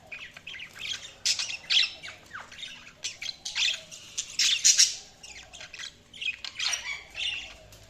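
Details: Budgerigars chirping: a busy run of short, harsh, scratchy squawks and chirps in bursts, with louder clusters near the middle and quieter gaps between.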